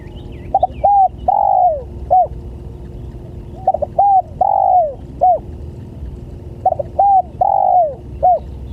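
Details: Spotted dove lure call used to attract other doves: three loud cooing phrases, each a short stuttered double note, a clipped coo, a long drawn-out falling coo and a final short coo, repeated about every three seconds.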